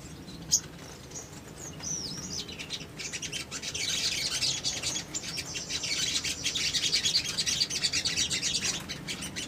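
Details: Little spiderhunter singing in a lure recording meant to draw replies: a dense, continuous stream of high, fast chatter that builds in loudness, with a single sharp click near the start.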